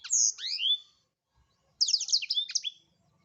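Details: Blackthroat singing prolifically for songbird tutoring: two high swooping whistles curving downward, a silent gap, then a dense, fast series of high chirps and descending slurred notes.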